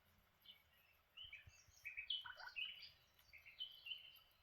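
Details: Lineolated parakeets chatter while having breakfast: soft, warbling chirps and short whistled notes rising and falling quickly over a few seconds, with a faint low background rumble.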